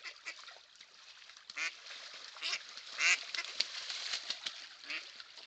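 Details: Male mallards fighting, recorded 4/11/2024, give short, raspy, nasal calls in quick irregular bursts, mixed with harsh splashing and scuffling noise.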